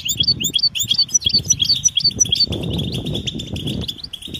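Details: European goldfinch mating and readiness calls, used to stimulate silent males to sing: rapid, tinkling high chirps and twitters repeated in quick succession, with a low rumbling background and brief soft thumps.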